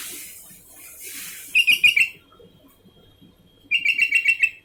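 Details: Sooty-headed bulbul singing continuously: after a hissy start, a loud phrase of about four rich, liquid whistled notes, a short pause, then a longer run of six similar bubbling notes.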